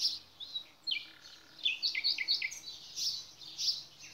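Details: Nightingale song in a natural setting: loud, varied phrases of high whistles and quick chirped notes, with brief pauses between bursts and faint low background hum.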